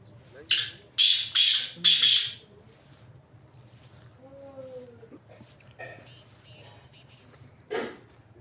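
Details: Free-roaming wild black francolin in jungle: a harsh series of five grating notes opens the recording, followed by quieter tonal sounds and a single rasping note near the end.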